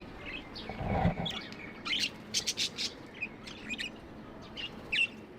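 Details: Tame pet budgerigars chirping, described as love sounds: scattered short bright chirps and squeaky notes, with a brief low thump early on and a quiet background.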